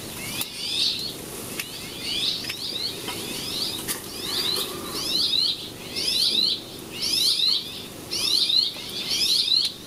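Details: Rock sparrow feeding a chick outside the nest in Spain in June, giving high, scratchy, slurred notes about once a second in short bursts, with a few sharp clicks or wing flutters and faint low rumble.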